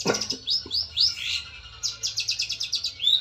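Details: Long-tailed shrike of the fighter type challenging an opponent, used as a lure: quick upswept squeaky notes, then a brisk run of sharp, evenly spaced chips, about eight in a second and a half.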